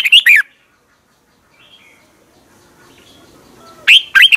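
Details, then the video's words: Red-whiskered bulbul song, Thailand, for getting caged birds excited: a quick warbled phrase at the start, a faint distant note midway, and another bright phrase beginning near the end. "เสียงนกกรงหัวจุก สำหรับต่อ หรือ เปิดให้นกคึก"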